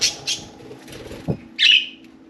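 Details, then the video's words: Caged budgerigars, four birds playing and chattering inside and on top of their cage; a few short bright chirps, the last one longer and warbled, with a low hum and a soft thump between. "Budgie Birds Having a Good Nice Day!"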